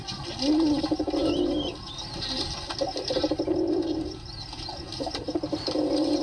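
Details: Pigeons cooing in low, throaty, rolling bursts of about a second, some with rising and falling pitch. Thin high chirps of small birds run faintly in the background throughout.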